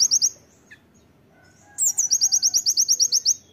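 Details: Tembakan master song of a loud-singing Oriental white-eye: a few high chips, a brief quiet spell with a faint lower note, then a vigorous burst of rapid, shrill repeated notes, about eight per second.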